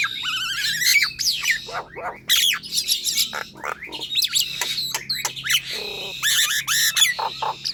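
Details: Nias hill myna kept at home, in energetic song used to stimulate lazy birds: a wavering whistled trill, many steep downward-sliding whistles, clicks and harsh squawks in a dense, varied sequence.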